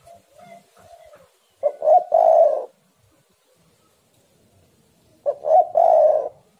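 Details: Spotted dove, locally tekukur, used to lure other doves into singing; two loud cooing phrases, each a short stuttered opening note followed by a longer rolling coo, about three and a half seconds apart, with faint softer cooing before the first phrase.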